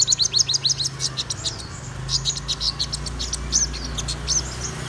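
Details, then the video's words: Morning song of a black-throated sunbird: fast high-pitched twittering trills and sharp downslurred chips, over a constant low humming background. "Chim Hút Mật Họng Đen Hót Sáng"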